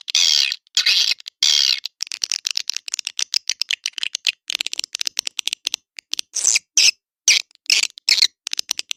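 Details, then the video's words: Edible-nest swiftlet lure call in the Naga Emas style, played to attract birds to swiftlet houses: rapid dry clicks and rattling bursts mixed with high twittering chirps, broken by sharp silent gaps. "SUARA PANGGIL NAGA EMAS"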